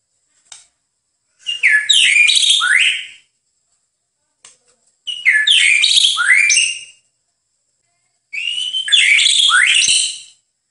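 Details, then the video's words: White-rumped shama song from a master recording for training birds: three rich, loud phrases of about two seconds each mixing whistles and warbled, sweeping notes, separated by silent pauses. "Masteran Terbaik Murai Batu"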